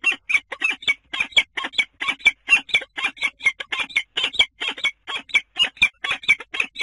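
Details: Common kestrel calling at its nest inside a water tower in Scheveningen, Netherlands, 10 April: a long run of grating, chattering notes, roughly two each second, harsh and insistent, without background noise.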